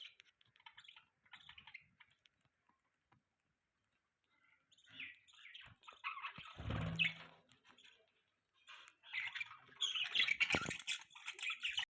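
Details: Pet budgies twitter and chirp in busy, scratchy bursts, loudest toward the end, with a passing vehicle rumbling in the middle.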